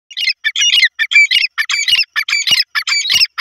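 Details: Grey francolin (teetar) calls used to lure francolins: loud, harsh, rapid squawking notes repeated in quick bursts of about two per second, high and scratchy, with no other sounds.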